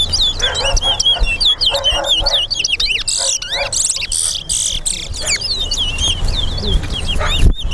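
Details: At a Guyana bird-ground singing race on Lamaha and Vlissengen Road, a towa towa pours out dense, high whistled notes, many sharply upslurred or looping, in a fast unbroken string, with people talking and music underneath and a loud thump near the end.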